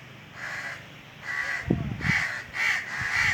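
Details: Hoarse cawing of an Indian crow perched atop a tree in summer heat, several drawn-out caws with a brief low thump or knock among them.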